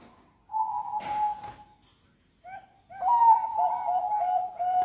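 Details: Zebra dove, a Bangkok-type bird used to prompt other birds to sing, giving long steady coos around one pitch, one held note then a broken, stuttering run of coos after a pause, with brief thumps.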